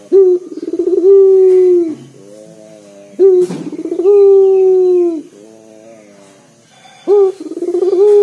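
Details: Strong, deep cooing from a local collared dove meant to spur other birds to sing, phrases roughly every three seconds, each a stuttered rise into a prolonged resonant note with soft rippling interludes between.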